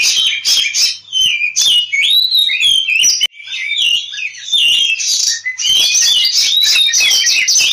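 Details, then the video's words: Oriental magpie-robin in fighting song, used to lure rivals into singing: rich, fast medley of piercing whistles, upward and downward slurs and scratchy notes, briefly interrupted then continuing at full volume. "suara Kacer ngobra tarung, pancingan kacer agar cepat gacor"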